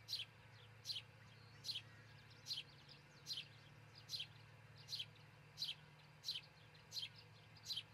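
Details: At a treetop osprey nest in Charlo, Montana, camera recording from early morning June 22, 2018: eleven high, downslurred chirps repeated almost every three-quarters of a second, backed by faint low hum.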